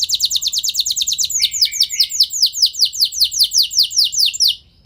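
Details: Canary singing to provoke other canaries into long rolling song: a fast trill of high descending notes slows into broader, louder downward sweeps repeated steadily, ending abruptly.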